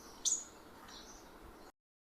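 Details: A purple-rumped sunbird in a home garden gives one sharp, very high chip, followed by a fainter, softer note a moment later, over a quiet background hiss.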